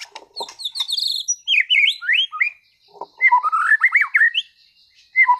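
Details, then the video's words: White-rumped shama, a caged competition-class bird from Sragen, in full song: quick high chips give way to loud, rich, slurred whistles sweeping up and down, delivered in fast flowing phrases with brief gaps. "MURAI BATU TEMBAKAN ISTIMEWAH gacor bongkar materi kelas lomba"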